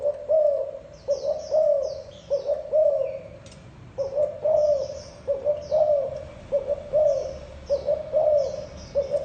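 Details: Thổ đồng spotted dove in steady gù cooing, low hollow phrases repeating about once a second with a short pause midway, accompanied by frequent high chirps and twitters of other birds.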